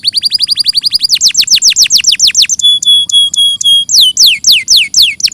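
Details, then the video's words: Clear canary tutor recording: rapid high trill, then faster falling sweeps, a pure sustained whistle, and another cascade of descending notes. "Masteran suara burung KENARI"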